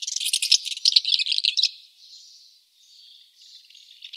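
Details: Barn swallow giving a burst of rapid, rattling twitters, then softer, thinner warbled notes trailing off.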